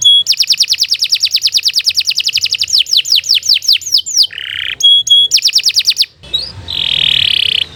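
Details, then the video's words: Canary song for training other birds, loud and continuous: rapid trills of repeated downward-sweeping notes, a buzzy low phrase, sharp chips, then a harsh rasping section. "Kicau Burung Kenari II GACOR PANJANG Cocok untuk Masteran"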